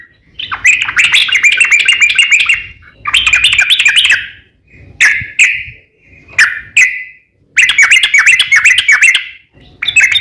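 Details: Yellow-vented bulbul in full, persistent song with long rapid runs, played as a lure to get other bulbuls singing: bubbly, chattering phrases of 1–2 seconds separated by short pauses, with brief sharp notes between them.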